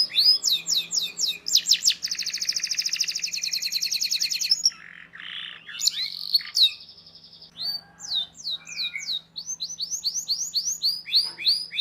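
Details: Long canary song used to teach young birds: rapid buzzy trills and dense rattling runs, a short pause, then clear rising whistled notes repeated in quick succession.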